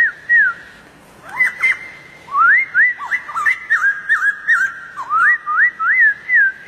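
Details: White-crested Laughingthrush singing in the wild: bright whistled notes, many sliding upward then dropping, delivered in a quick, uneven sequence.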